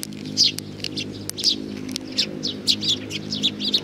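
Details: Several sparrows arriving to be fed on 15 May 2019 give a busy run of bright, high chirps, closely spaced and overlapping in places, with a faint low background hum.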